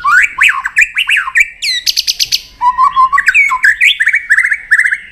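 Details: White-rumped shama delivering a fighting song while tail-flicking to provoke a rival: dense, varied phrases of swooping whistles, a burst of rapid high notes, then quick rising trills.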